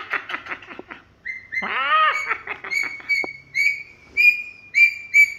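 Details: Princess parrot (Polytelis alexandrae) clowning around and chattering: a quick burst of rough notes, a drawn-out nasal squawk, then bright clipped chirps repeated about twice a second.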